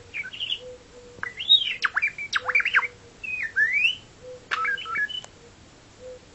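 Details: A budgerigar imitates R2-D2's robot beeps with quick electronic-sounding whistles, sliding chirps and warbling sweeps.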